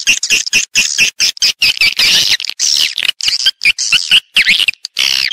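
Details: Swiftlet calls played to lure the birds into nesting houses: short, separated bursts of shrill chattering, roughly two each second, some ending in swooping upward and downward notes.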